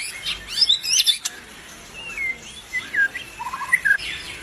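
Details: Albino white-rumped shama singing: a scratchy, busy opening, then a series of separate clear whistles, some slurred downward, with short pauses between them.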